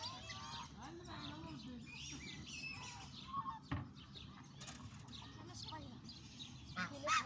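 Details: Hungry ducks in Canada call together in a busy chorus of harsh, honking and nasal notes, overlapping and uneven, with a person's voice nearby.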